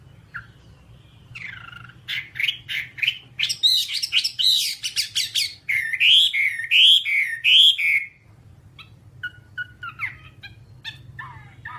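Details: Whambie singing on a nonstop tutor track for kept birds: quick chattering notes build into loud, rolling whistled phrases that wave up and down, then fade into scattered soft chips.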